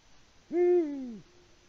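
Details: Male Eurasian eagle-owl on a Latvian live camera, 6 March 2019 at 18:06, hooting for a mate with no female responding; a low booming note, level then gently descending, with near silence around it.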